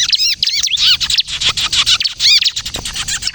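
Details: Actively singing bar-winged prinia in the kejepit style, a recording meant for luring and prompting other prinias to sing: dense, fast high chirps and rising-falling notes, merging into a busy, hissy stretch midway, then clearer arched notes.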